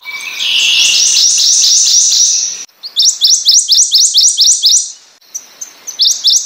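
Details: Prothonotary Warbler (Protonotaria citrea) sings loud, ringing phrases of rapid, identical upslurred notes, sweet-sweet-sweet, repeated several times in a row with short pauses between phrases.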